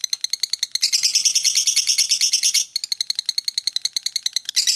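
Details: A lovebird's extended ngekek: shrill ticking chirps broken by a dense buzzy surge, followed by a quick, regular run of clipped high notes.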